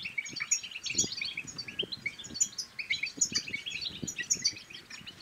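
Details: European goldfinch 'batbata' twitter meant to spur quiet goldfinches into song and mating. Bright, rapid chirping and ringing high notes come in unbroken bursts over faint low knocking noises.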